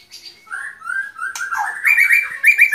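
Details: Brief white-rumped shama phrase: a mid-pitched warbling whistle wavers along, then rises into a higher, buzzy, sustained note.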